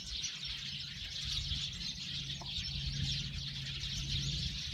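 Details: Eurasian tree sparrows chirping together in a steady, crowded chatter of high notes, accompanied by a low droning hum.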